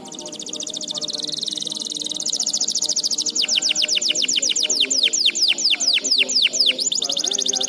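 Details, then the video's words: Canary song meant to train young canaries to sing often and loudly: a continuous high, fast trill turns after a few seconds into a run of distinct sweeping notes at about six per second, over faint low droning tones. "MASTERAN AMPUH COCOK BUAT KENARI PAUD JADI RAJIN GACOR NGEDOR"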